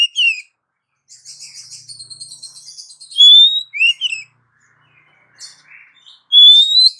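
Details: Female Oriental magpie-robin calling a male, as a lure: a brief swooping note, a second of soft buzzy twittering, then a loud rising whistle with two curved notes, and another rising whistle at the close.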